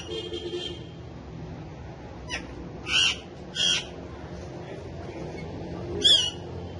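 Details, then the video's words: Friendly male ringneck, a pet talking parrot kept with several other parrots, lets out four scratchy, rasping squawks spaced one to three seconds apart against faint background hum. "Cute Talkative Parrots Speaking And Dancing So Lovely"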